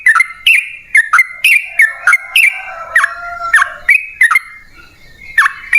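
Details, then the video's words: Sooty-headed bulbul 'ropel panjang' style song, used as a lure to make other birds sing: spaced whistled notes with abrupt downward slurs, some held briefly, fading to a quiet pause before a final note. "Pancingan Trucukan PALING AMPUH! Burung Langsung Ngalas & Nyaut Gacor"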